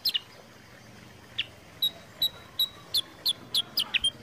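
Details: Sooty-headed bulbul giving scattered clear chirps, used as a lure for training birds to sing. A couple of early notes are followed by a short gap. Then come evenly spaced chirps roughly every third of a second.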